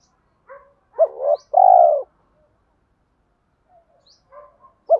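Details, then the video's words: Deep 'thổ' voiced spotted dove used as a lure: a quick rising coo and then a strong, drawn-out coo. Quiet gaps and soft low murmurs follow, and another rising note begins at the end. "chim cu gáy giọng thổ pha thúc đấu rút bổi nhanh về"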